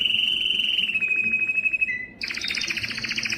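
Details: Yellow canary holding a clear whistled trill that slowly drops in pitch. It then breaks into a louder, faster double-toned pulsed roll.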